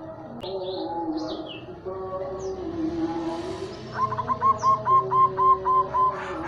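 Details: Local zebra dove from Tuban, kept as a master bird to prompt and teach other doves; low hollow coos at first, then a bright rapid series of short repeated notes, about four per second, over background chirps.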